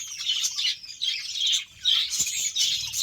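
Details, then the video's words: Budgerigars given beetroot produce rhythmic bursts of high, squeaky chirps in clusters about every half second, separated by brief quieter gaps, with a faint tap partway through. "BUDGIES SOUNDS"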